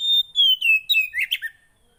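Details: Javan white-eye giving a short phrase: a long, clear, high whistle gliding gently downward, then a few quick twittered notes fading out. Intended to coax a silent bird to sing.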